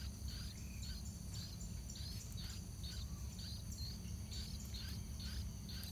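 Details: Yellow-vented bulbul chicks edging around the nest before fledging while adults bring food; about a dozen short chirps with downturned ends at an even pace, against a steady high insect-like whine and low noise.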